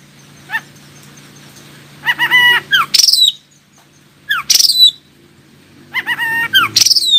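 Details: Oriental magpie-robin singing to draw answers from other magpie-robins: three bursts of song, each mixing buzzy stacked notes with piercing descending whistles, separated by pauses of about a second, with a low background hum.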